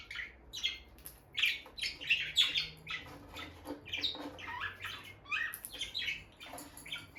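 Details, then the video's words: Peach-faced lovebird couple, a bonded pet pair staying close by the nest box: high, sharp chirps in quick irregular bursts, some short squawky notes, quiet background. "Parrot Chirping Sounds – Relaxing Lovebird Couple Vocalizations"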